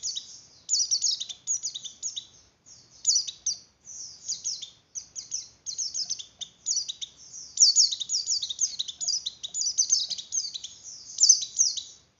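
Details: Javan grey-throated white-eye singing to stimulate breeding condition in other white-eyes, producing repeated short bursts of fast, thin, high twittering and downslurred chirps, with brief pauses between phrases throughout.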